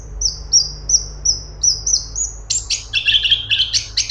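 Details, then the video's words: Grey-cheeked bulbul (cungkok) gives a string of high, thin upslurred whistles, about three per second. It then switches into a loud, dense, buzzy warbling rattle at a lower pitch. Faint hum in the background. "CUNGKOK ISTIMEWA !! Cungkok super gacor besetan rapet"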